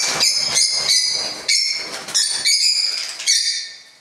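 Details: Several pet parrots kept together indoors at home, calling almost nonstop: overlapping harsh, grating screeches in quick succession, each beginning sharply, forming a dense continuous racket.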